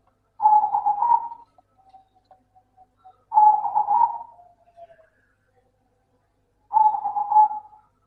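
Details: Local zebra dove song meant to prompt lazy doves to sing. Three bursts of quick, burry cooing come roughly every three seconds, with soft trailing notes after the first two.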